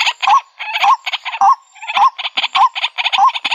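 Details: White-breasted waterhen call used as a trapping lure: harsh, dense chattering phrases with a wavering, warbling note repeated underneath, about two phrases per second, several voices overlapping.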